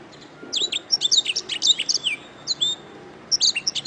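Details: Canary song offered as a master recording for training songbirds: quick bursts of bright, high whistled and chirping notes with sweeping slurs, a short pause, then a renewed flurry near the end.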